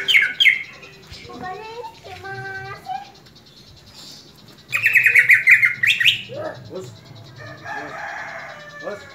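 Greater green leafbird singing a varied mix of bright, chattering phrases and clear whistled notes, with a loud rapid burst in the middle; faint background hum.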